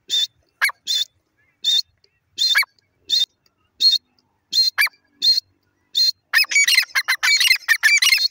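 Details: Pair of grey francolins calling: short, sharp, high notes repeated roughly once or twice a second with brief gaps. From about six seconds in, they break into a rapid, overlapping chattering burst.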